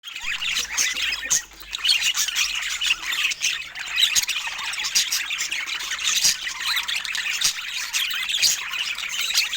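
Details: Budgerigars of rare colour mutations giving dense, continuous high chattering with squawky notes and short chirps overlapping throughout, several birds calling at once.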